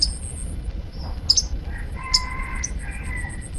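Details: Young untrained sunbird, locally called kolibri ninja, uttering a series of sharp, high, thin chirps, some doubled, with a distant rooster-like drawn-out call and a steady high insect buzz behind.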